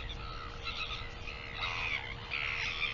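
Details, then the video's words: Calls of a northern royal albatross, recorded 24 September 2021: rough, nasal harmonic notes in three drawn-out bursts, the later ones louder and wavering, with a constant low hum and wind underneath. "Northern royal albatross"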